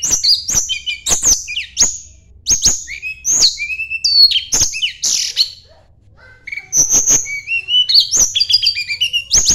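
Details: Continuous rival-seeking song of a Sunda blue robin: dense runs of high whistled slurs punctuated by sharp clicks, a brief lull near six seconds, then more rapid varied whistles.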